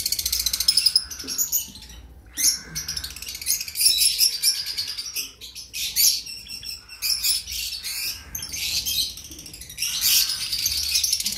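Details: Pet cream cockatiel chicks aged two weeks keep up a rasping, scratchy chatter of high pulsed calls with frequent short breaks. Faint soft thumps sound in the background.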